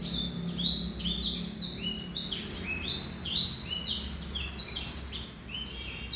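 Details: Song of a male Black-throated canary: a rapid, unbroken stream of high, slurred downward sweeps and brief trilled notes, lively and varied, with faint low rumble beneath.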